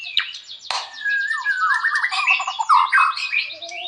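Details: White-rumped shama in vigorous gacor song: a dense tangle of sliding whistles, buzzy trills and warbled phrases, opened by two sharp clicks.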